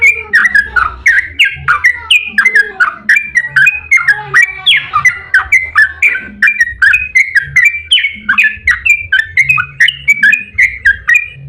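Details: Yellow-vented bulbul in a long rapid 'ropel' song style, used as a lure to prompt other bulbuls to sing: continuous bubbly, chattering phrases of quick rising and falling notes, repeated roughly every half second, over a low hum.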